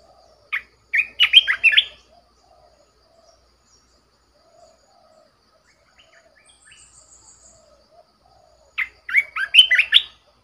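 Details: Red-whiskered bulbul, a caged decoy bird, sings two loud, lively warbled bursts of quick, jumping notes, separated by several seconds of near silence.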